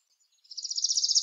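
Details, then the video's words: Northern parula (Setophaga americana) song: a buzzy, high trill of rapid pulses that grows louder and climbs slightly, ending in a sharp click, with no other sounds. "The Song of Northern Parula"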